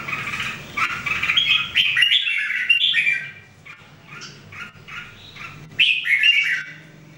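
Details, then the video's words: Jambul, or Red-whiskered Bulbul, one of three birds in daily voice training during 2018, delivers a run of quick chirpy whistled notes. The run pauses briefly, then resumes with a loud bright phrase over a steady low hum. "Training Jambul birds singing everyday 2018"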